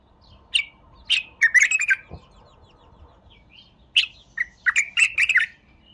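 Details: A bulbul gives loud, bubbly phrases: a couple of single chirps followed by a rapid jumble of rich warbled notes, a pause, then another burst of chirps and tumbling notes.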